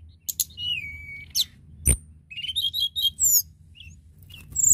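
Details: A lively tledekan gunung singing, meant to stimulate other tledekan: a thin whistle that drops and holds steady, then quick squeaky chattering phrases and high chirps, with one loud click and a soft low hum.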